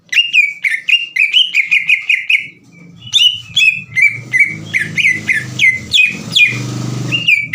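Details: Green leafbird singing to provoke rival birds: rapid series of sharp whistled notes with downward-sweeping starts, repeated about four times a second, with a faint low hum beneath the second half.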